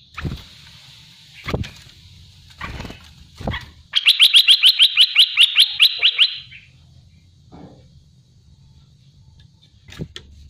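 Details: Olive-winged bulbul (Pycnonotus plumosus), known locally as merbah belukar or cucak lumut, sings a rapid, rattling burst of about a dozen bright, even notes over two seconds, with dull knocks and thumps around it.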